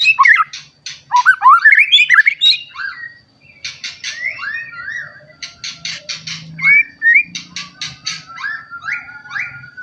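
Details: White-rumped shama singing as a lure for other shamas, with rising rapid whistled runs, then harsh buzzy chatters alternating with short slurred whistles; a low hum sits underneath.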